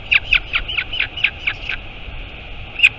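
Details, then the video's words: A quick series of short, high squeaky notes, about four per second, then a pause and one last note. Royal albatross at a nest in the Taiaroa Head colony near Dunedin, New Zealand, filmed by a live camera on 23 August 2022 as the mother flies in. "Альбатрос. Прилетела мама - Albatross. Mom arrived"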